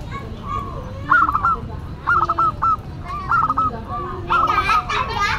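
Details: Actively singing local zebra dove with a classic, unusual voice: loud stepped cooing phrases repeated about once a second, ending in a strong burst of overlapping coos over background murmur.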